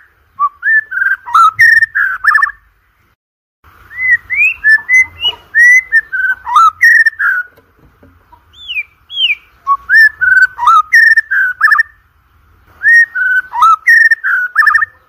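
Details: Loud whistled song of a white-rumped shama (murai batu), meant to stir competition birds into singing: bursts of quick, varied phrases lasting two to three seconds, broken by short silences, with a couple of clear rising whistles between bursts.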